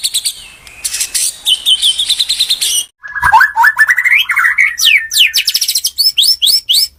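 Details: White-rumped shama full song used as a lure for other shamas; loud, varied phrases of rapid repeated notes, buzzy trills and sweeping whistles, a brief pause near the middle, then fast rising and falling notes.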